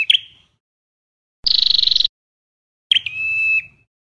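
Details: Ashy Tailorbird, also called Red-headed Tailorbird, singing: a sharp chip, a fast buzzy trill, then a chip leading into a long, level, piercing whistle, in silence otherwise.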